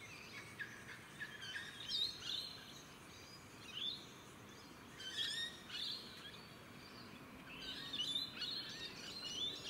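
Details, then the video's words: Australian rainbow lorikeets in the evening, recorded on a 4K camcorder: overlapping short, harsh, high screeches and chatters from several birds, rising and falling irregularly through the whole stretch over a steady background hiss. "Bird Sounds- Australian Rainbow Lorikeet"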